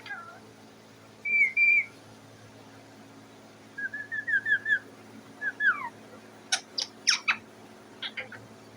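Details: Parrot sitting on its cage, making noise for food: scattered whistled notes, some wavering and sliding downward, then a few sharp high squeaky chirps, with quiet pauses and a low steady hum behind.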